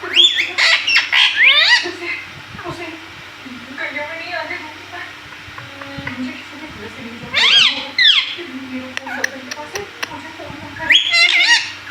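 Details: Indoor pet parrot talking, saying mummy: a cluster of shrill, buzzy, harmonic syllables at the start, then quieter murmuring, with two more sharp bursts near the middle and the end.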